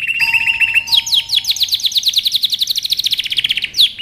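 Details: Canary singing for training: a steady pure whistled note opens, then a long rapid trill of descending sweeps repeated many times a second, ending in a sharp downward flourish.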